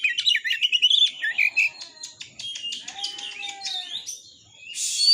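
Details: Varied kacer song meant to rouse other shamas to sing and fight: quick whistled warbles and chattering notes, a soft low whistle midway, ending in a harsh buzzy burst.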